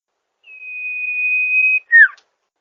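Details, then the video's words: Sirtu bird master recording for luring wild birds in rice fields: a single clean, steady, high whistle of over a second, followed by a loud, short note sliding downward. "Suara burung SIRTU gacor"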